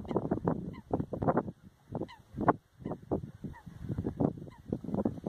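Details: Lesser white-fronted geese wintering in the Oudeland van Strijen, Hoeksche Waard, Netherlands, February; a busy flock of short yelping honks, several birds calling at once in quick, uneven series.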